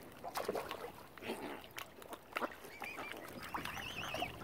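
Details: Hungry, angry mother swan on Lough Neagh, Ireland, where algae has killed normal food supplies, gives short rough honks and grunting notes in uneven bursts, with high wavering bird trills and lapping water noise behind.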